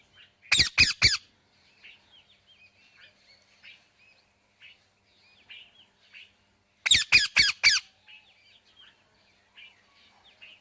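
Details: Indian ringneck parakeet, a burst of three loud harsh broadband squawks, then another run of four about six seconds later, with soft high chattering chirps from other birds filling the gaps.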